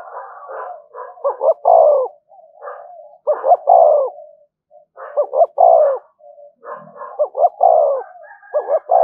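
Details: Repeated "thúc gù" cooing of a spotted dove, played to lure others. Phrases come about every two seconds, each made of a few clipped low notes and then a fuller falling coo, with soft murmurs between.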